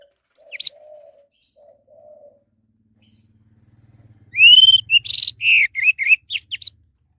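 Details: Orange-headed thrush song used as a lure to get other birds singing: after faint low whistled notes and a soft low hum, a burst of loud, rich whistled phrases mixed with short buzzy and chattering notes.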